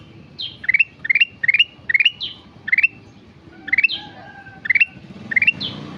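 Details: Sooty-headed bulbul singing energetically (gacor): short rising three- to four-note chirped phrases, each often preceded by a high downward slur, repeated about every half second with a brief pause midway; faint low background rumble.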